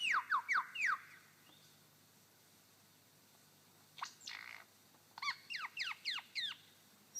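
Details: A male superb lyrebird on his dancing mound in Sherbrooke Forest Park, Victoria, imitates a wattlebird: quick, steeply falling notes in a burst of four, a pause, two harsher notes, then about six more.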